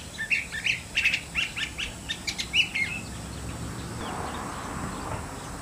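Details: Curve-billed thrasher song of rapid, varied chirps and short whistles for about three seconds, then only broad outdoor noise remains.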